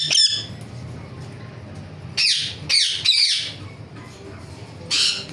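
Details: Ringneck parrot uttering a few isolated harsh, high squawks separated by quiet gaps, in an indoor-sounding space with low background hum.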